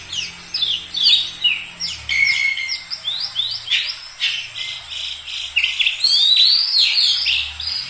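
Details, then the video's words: Lively song of an Oriental magpie-robin: a dense string of quick, varied chirps and sweeping whistles, with one longer steady whistle near the start and a busier flourish toward the end. "Kacer langsung gacor moncer dalam hitungan menit"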